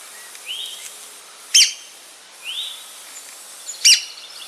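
Red-cockaded woodpecker giving two sharp, raspy notes about two seconds apart, with softer rising whistles between them.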